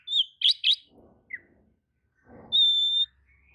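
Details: Oriental magpie-robin giving a few clear whistled notes, a short rapid chirp group, then one long steady high whistle. The song is meant to stir other magpie-robins to answer. A soft rustling sound is heard between the phrases.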